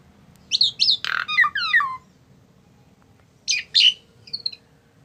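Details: A tame Asian pied starling utters a quick series of harsh chattering notes and falling whistles, then pauses before two more squawky notes and a brief whistled ending.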